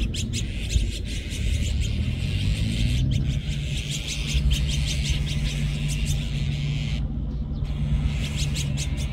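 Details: Noisy flock of Azure-winged magpies: dense bursts of quick rasping chirps, a brief pause near the end, then more chatter, with constant low-pitched hum beneath.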